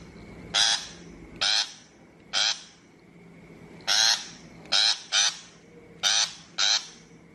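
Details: Shrike calls for a bird-trap loudspeaker: grating, noisy notes in singles and doublets, about ten within seven seconds, spaced unevenly, over a steady low hum.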